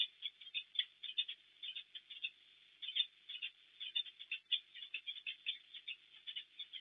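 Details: Peregrine falcon pair at a nest in Płock, Poland, 12 March 2024, morning, the male delivering a caught bird to the female: a long run of grating, squawky chips and chattering notes, closely bunched with short pauses, no other sounds.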